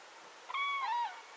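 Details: Common crane (żuraw) giving a single loud call of about half a second: a clear, slightly wavering trumpeting note with strong harmonics that dips at the end, over a quiet, steady background hiss.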